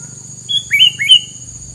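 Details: Bird filler song: a clear level whistle followed by two upward-sweeping whistled notes in quick succession, with a steady electronic tone in the background.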